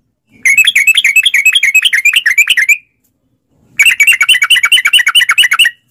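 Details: Yellow-vented bulbul pouring out long rapid-fire song as a lure: two dense bursts of fast, chattering, slurred notes, each about two and a half seconds, separated by a short silence.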